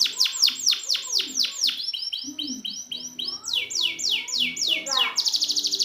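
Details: Training song for a canary that has gone quiet: a series of sliding down-swept whistles repeated about twice a second, then softer upward slurs, ending in a quick rattling roll.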